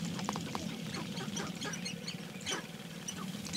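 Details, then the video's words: Sharp-tailed grouse dancing at an early-morning lek, about 30 to 40 birds, few females among them; overlapping short clucks and high squeaky notes over a drumming, pattering low rumble. "Sharptail Grouse_Mating Dance"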